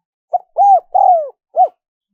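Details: Spotted dove, recorded for attracting wild doves, giving one coo phrase: a quick first note, a smooth arched coo, a drawn-out falling coo and a short final coo, otherwise quiet.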